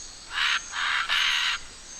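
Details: Scarlet macaws in a group in wild Costa Rica give three harsh, broad squawks in quick succession, the last one longest, over a quiet background.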